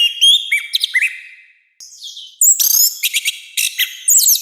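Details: Orange-headed thrush singing loudly for training and provoking birds: clear rising and falling whistled slurs at first, a short pause, then a harsher rush of varied high, squeaky notes and twitters.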